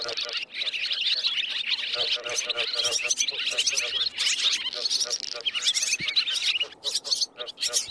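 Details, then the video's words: Roosting swiftlets calling, a sound played to attract birds into nets; steady high twittering and buzzy chirps with rapid clicks, briefly dipping near the end. "tiếng én ngủ"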